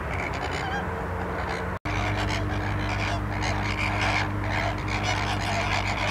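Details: Honking calls from a flock of flamingos at Larnaca salt lake, Cyprus, rising and falling in irregular bursts over a steady low drone and wind noise, with one short break early on.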